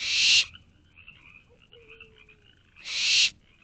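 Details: Barn owl owlets in a nest box at night, 10:55 pm on 24 May 2023, calling for their parents to bring food: two harsh, broadband hissing screeches, each about half a second, nearly three seconds apart, with quiet rustling between.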